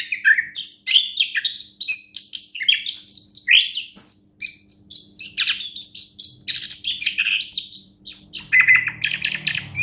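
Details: A contest-winning Orange-headed thrush sings a rich, nonstop run of high whistled and chattering phrases, varied and rapid, with a faint low hum and a brief buzzy rasp near the end.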